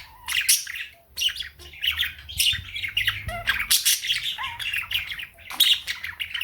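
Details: Indoor pet birds at morning: a female cockatiel singing with budgies chiming in; continuous scratchy warbling, sharp squawks and short whistled slurs, with steady overlapping chatter throughout.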